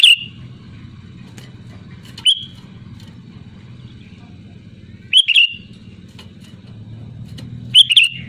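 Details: Sooty-headed bulbul singing loudly, original sound used to lure others into song: four short bright slurred phrases spaced several seconds apart, each a quick tumble of whistled notes, with a steady low drone throughout.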